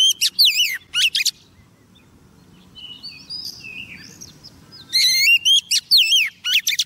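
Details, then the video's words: Female Oriental magpie-robin singing to summon a male, kept as a trapping lure: loud wavering whistles in two bursts separated by a quieter stretch of soft, thin warbled notes. "Choè than mái mồi hót gọi trống"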